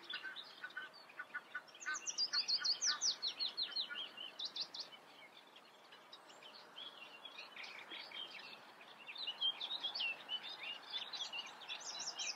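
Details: Eurasian reed warbler singing: a long, chattering run of harsh, rapid notes repeated two or three times a second, with a higher, brighter burst of trilled phrases around the middle and another songbird faintly behind.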